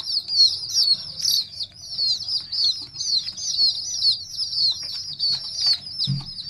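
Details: Young chicken chicks cheeping steadily, high piercing peeps in quick overlapping series, with light knocks and rustles in the background.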